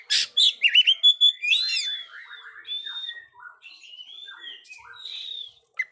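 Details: Kacer, the Oriental magpie-robin, singing lively to spur young birds that are still silent: loud sharp notes in the first second, then sliding whistles and varied falling phrases that grow quieter.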